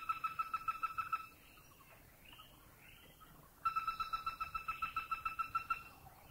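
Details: Greater Flameback recorded in Thailand gives two bursts of a fast, level trill of nasal notes, about five per second. A faint rising, whistled sound fills the short quiet gap between the bursts.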